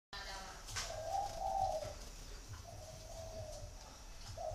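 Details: Spotted dove giving a coo in the 'gù thổ' style, recorded in Vietnam. Two long, low, hollow cooing notes are followed by a short third note, over steady background hiss.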